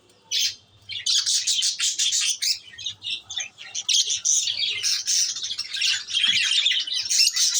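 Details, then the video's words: Busy chatter of pet lovebirds indoors: piercing, high squeaky chirps in quick uneven bursts, with harsh squawks mixed in and barely any pauses. "love bird's"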